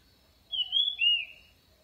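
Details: A short orange-headed thrush phrase, a high whistle that slides down into a second, lower slurred note. The recording is said to draw birds in quickly. A faint steady hum lies underneath.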